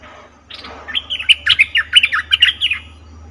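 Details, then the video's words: Lure call of a cream-vented bulbul for trapping, heard as a run of about twelve clear, chirping notes at a steady, lively pace over a steady low hum. "Suara pikat merbah lekir"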